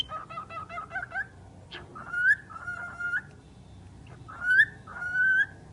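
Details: Talking bird producing a quick stuttering string of harmonic syllables followed by several drawn-out whistled phrases that rise at the end, with brief clicks between them.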